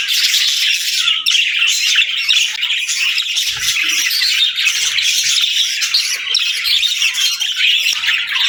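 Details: Parakeets and lovebirds kept indoors chirping together in the morning, a dense, continuous chatter of high squeaky chirps and squawks from many birds at once, steady and loud throughout with no pauses.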